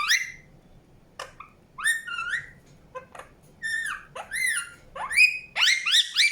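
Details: Indian ringneck parakeet chirping: a series of harsh, harmonic-rich calls, many sweeping upward or arching, sounded singly and in quick bursts that grow denser and louder toward the end. The background is quiet with no other clear sounds.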